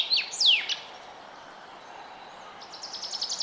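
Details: Forest bird in early spring: a pair of quick down-slurred whistles, then a short pause, then a faint, fast trill of high repeated notes.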